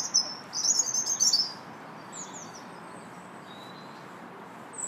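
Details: Robin singing in a park on March 2nd, one dense, scratchy phrase of very high twittering notes, then faint thin notes and quiet.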